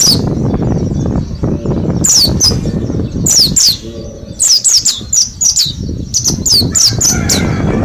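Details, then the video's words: Mountain white-eye from Mount Slamet, a caged bird housed in a group after ten days learning ngalas-style song: clusters of thin, high, falling chirps in quick pairs and runs over steady low-pitched background noise. "Pleci gunung slamet ombyokan 10 hari belajar ngalas"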